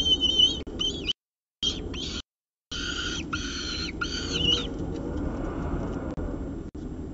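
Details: Peregrine falcon at the CSU Orange nest site with a second meal, 2 November 2018, 9:53 am; harsh high calls in short bursts for about four seconds, then only low background noise.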